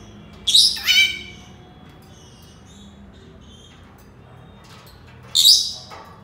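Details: Senegal parrot: a pair of raspy, buzzy high calls in quick succession, a long near-silent gap of four seconds, then a single sharp shrill call; faint low hum.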